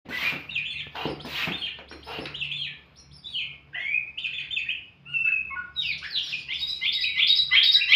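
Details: Oriental magpie-robin (kacer) giving its 'bukak isian' song: a rich, varied run of whistled and chattering phrases, sliding and warbling, with sharp clicks early on and a loud, dense burst of notes near the end.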